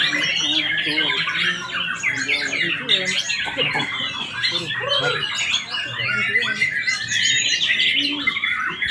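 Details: White-rumped shamas in the murai batu class of a practice bird-singing contest at Palembang, Indonesia, on 8 July 2023: several birds sing at once in dense, overlapping whistles, trills and rapid chattering phrases, while people talk throughout.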